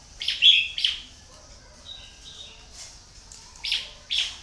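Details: Caged decoy red-whiskered bulbul (Pycnonotus jocosus) used to lure wild bulbuls sings bright, chirpy whistled phrases in short bursts, two loud ones at the start and two near the end, with softer notes between.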